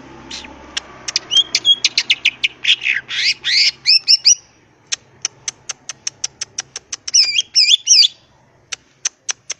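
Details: Gacor ngentrok song of a green leafbird, opening with quick high chirps and a burst of harsh, tumbling notes, then a long string of sharp ticks broken by a short, looping whistled phrase.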